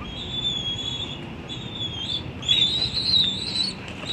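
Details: Bald eagle chick squeeing on the nest at the National Arboretum, Washington, D.C., June 9, 2022, as the adult male arrives: thin, high whistled squeals, drawn out and wavering, over steady low background rumble.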